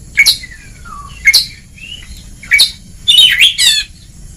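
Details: Kacer (Oriental magpie-robin) singing ngeplong on a training recording: short harsh notes about every second, with thin falling whistles between them, ending in a rough, rapid warbled burst.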